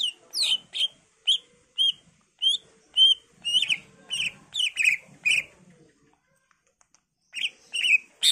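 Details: Energetic greater green leafbird song used to lure other birds into answering: a steady series of bright whistled and slurred notes about twice a second, a brief silence, then more whistles.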